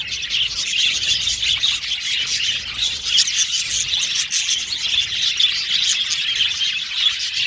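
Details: Male blue and violet budgerigars in an aviary colony, many birds chirping at once: a dense, continuous wash of high twittering, chattering and squeaky notes with no pauses, steady in loudness throughout.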